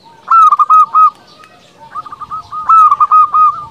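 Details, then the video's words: Zebra dove of a local strain, singing to make rival birds respond. Two strong coo sequences, each a quick stutter running into sustained notes, come about two seconds apart. A quieter dove's phrase falls between them. "Perkutut lokal gacor paling ampuh untuk pancingan belum satu menit bikin lawan sudah pada nyaut"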